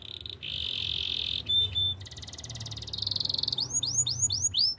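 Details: Canary song for training other canaries: sustained buzzy rolling tours, a brief sharp piping phrase, a fine fast rattle, and a closing run of five loud upward-curving whistles.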